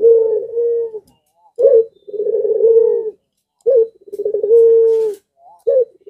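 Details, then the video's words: Barbary dove (puter pelung) in breeding condition, singing eagerly and drawing nearby doves into calling: low, mellow coos in sustained phrases about a second long, separated by short gaps and brief rising notes. "BIRAHInya memuncak Lagi Sampe Gacor Ngundang Puter Disekitaran Ikut Gacor jadi rame"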